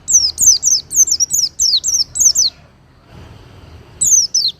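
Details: Oriental white-eye, song used to train kept birds, smooth and strong. About eight high, sliding-down whistles in fast succession, a pause, then two more notes, over a faint low background murmur.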